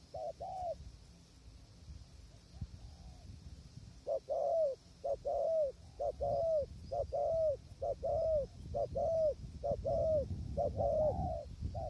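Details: Spotted dove calling during decoy trapping in strong wind, with the wild bird far off. Hollow paired coos repeat steadily, about once a second, for eight seconds, with gusty wind rumbling underneath.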